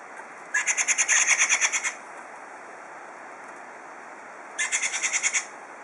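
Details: Blue jays, a couple, arguing: a harsh rapid series of about ten raspy notes over one and a half seconds, then a shorter burst of about seven similar notes after a pause.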